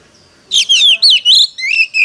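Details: Short phrase from a caged Oriental magpie-robin in competitive singing: a handful of bright, drawn-out whistles with sliding pitch, each note slightly different, delivered quickly after a quiet start.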